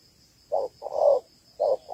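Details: Female spotted dove, Malaysian type, calling to rouse males at a ground trap. A short coo, a longer swelling coo, then another short note, all low and husky, over a faint steady high hum.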